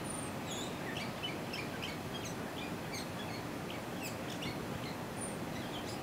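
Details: Gray Catbird song on the Clemson University campus, South Carolina: a rambling, unbroken run of short squeaky, whistled and scratchy notes that jump between pitches, over a steady low rumble.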